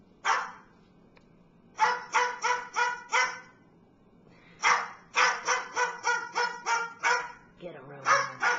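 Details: Barking bird imitating a dog as a household watchdog: rough, rapid barks in bursts of four to eight, with short pauses between the bursts.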